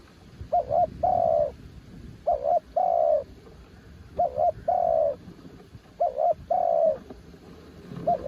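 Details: Spotted dove kept as a decoy, called a mountain bird, singing against strong wind: about four regular phrases of a quick two-note coo followed by a sustained descending coo, repeated roughly every two seconds.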